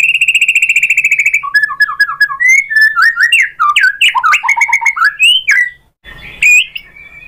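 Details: Lure song of a white-rumped shama to provoke other shamas: a fast even trill, then a jumble of varied rapid whistles and chips, a brief silence, a noisy burst and a final whistle.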